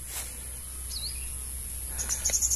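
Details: Brown-throated sunbird near a nest with eggs, likely the parent, gives one thin slurred note, then a quick run of high, sharp chips over steady high hiss and low rumble.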